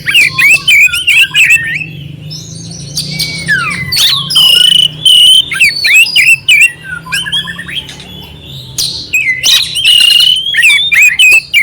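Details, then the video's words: Clear oriental magpie-robin song with rough fill-ins, meant for tutoring and stirring up an unmotivated magpie-robin; rapid run of sweet whistles, falling slurs and harsh scratchy notes, delivered in dense bursts with brief pauses. "Suara Kacer Jernih isian kasar Cocok untuk masteran untuk menaikkan emosi kacer dingin"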